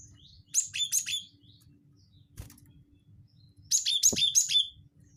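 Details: Cinereous tit call used to lure birds: two bursts of high, thin, buzzy chirps in quick clusters, separated by about three seconds of quiet, with a faint low rumble underneath.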